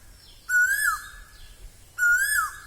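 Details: Loud, clear whistles of an Asian koel in Assamese spring (Bohag): two rising notes that swing down at the end, spaced about one and a half seconds apart in a quiet setting.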